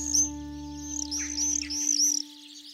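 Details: Black Swifts, an endangered species, give high, thin twittering chips in quick bursts of several notes over a steady low hum, in early morning at Marble Canyon in Kootenay National Park, Canada, by a river in a steep rocky canyon.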